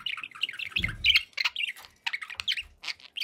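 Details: Several quick, twittering budgerigar notes tumble over one another, high and chirpy, with a soft low rustle partway through.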